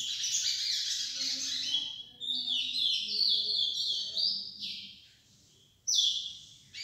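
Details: Lesser seed finch tutor song heard by a young bird: loud, high buzzy and warbled phrases sliding downward, a brief pause, then a sharp renewed burst.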